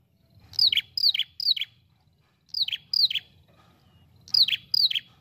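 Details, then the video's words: An ashy prinia calls in quick bursts of two or three high, downslurred, buzzy chirps, repeated three times with brief pauses between groups. "Pikat prenjak kepala merah gacor ampuh.."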